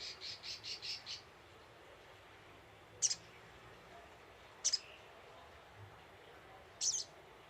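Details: Brown-throated sunbird lure call: five rapid high, buzzy pulses open the sequence, followed by three well-spaced sharp, high double chirps, with faint background hiss throughout.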